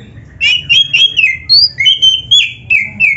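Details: Oriental magpie-robin singing with filler phrases: a steady series of clear, slightly buzzy whistled notes repeated about three times a second, shifting between higher and lower pitches.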